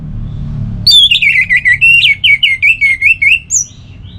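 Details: Caged orange-headed thrush (anis merah) in Singaraja, North Bali, singing a calm song: a steady string of about a dozen rapid, wavy whistled notes, ending with a higher thin whistle, low hum beneath.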